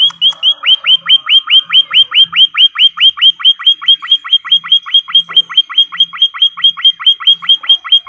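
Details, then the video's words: White-headed munia in a training recording for cage birds: a fast, steady run of about 34 sharp, high notes, each dropping steeply in pitch, about four per second, with faint low hum in places. "EMPRIT KAJI BELAJARAN"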